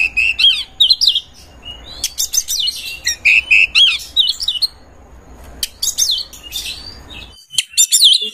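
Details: Kacer, the Oriental magpie-robin, in full song while seeking a rival to fight: rapid bright whistles, wavering notes and sharp upward sweeps in dense bursts about four times a second, ending in loud ringing phrases.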